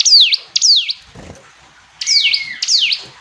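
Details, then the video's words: Hill prinia uttering two loud, down-sweeping whistles, a short quiet spell with a soft low rustle, then two more, the first preceded by a flat held tone. "Ciblek gunung istimewa, hitungan detik dijamin langsung bunyi ‼️ jernih"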